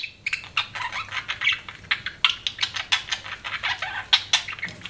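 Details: Budgerigar chirping a little farther off: quick sharp chirps and scratchy notes in irregular bursts over a faint background hum.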